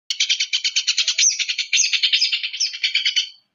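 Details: Long-tailed shrike giving a provocative song: a fast buzzy chatter of rapid pulses, high and harsh, running steadily for about three seconds with slight pitch wobbles.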